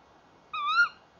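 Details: Tawny owl at a nest box at 19:31 on 30 January 2014, male and female calling together before entering the box, giving one clear, slightly rising note about a third of a second long against a quiet background.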